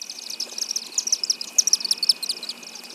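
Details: Chimney swift twittering through the warm months in Hampton Roads: rapid, high, chattering chips run together in fast bursts, with a steady faint hum underneath.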